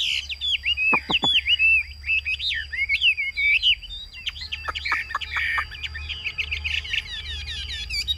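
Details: Caged Chinese hwamei in Vietnam on a very hot day, just after singing with its beak open, delivering ngũ trường song: jumbled varied whistles, deep downward sweeps and buzzy trills over a constant faint tone.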